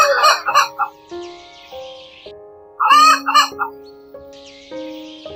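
A chicken gives two loud, hoarse, broken crowing bursts about two seconds apart, over steady background music.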